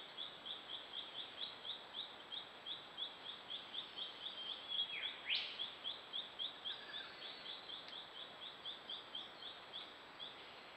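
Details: A yellow-rumped thornbill collecting wool for its nest gives a steady run of thin, high chips, nearly four a second, with one quick swooping note midway over soft background hiss.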